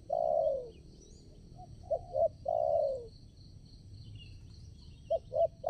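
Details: Spotted dove decoy bird calling to attract wild doves for trapping; drawn-out descending coo, then paired short coos and another long falling note, with a constant shrill insect hum behind.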